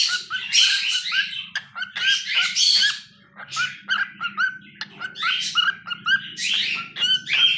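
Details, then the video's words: Singing pet cockatiel, a rapid string of squeaky chirps, scratchy rasps and sharp clicks in uneven bursts, some notes sliding up or down, over a soft low background hum. "Adorable Cockatiel Milo's Cute Singing Moments"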